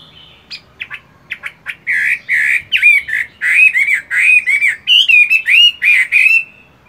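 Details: Chinese hwamei kept in a cage, still practising song in the morning while moulting; sharp clipped notes open into loud fluid whistles, repeated in quick rolling phrases that rise and fall.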